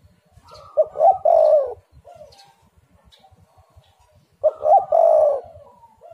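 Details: Spotted dove cooing as a decoy sound to draw other doves: two rich, rolling coo phrases about 3.5 seconds apart, each ending in a long, slightly falling note. Soft background rumble.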